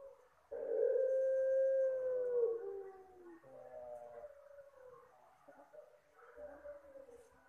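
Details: Puter Pelung dove, its soft call used as a bird lure: one long, steady, hollow coo held for about two seconds, falling at the end, followed by quieter trailing coo notes.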